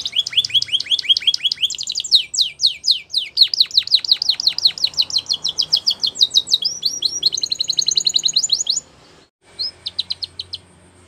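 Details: Belgian canary song for training, a champion singer: dense rapid trills and sweeping high notes for most of the clip, a short break, then a few more trilled notes.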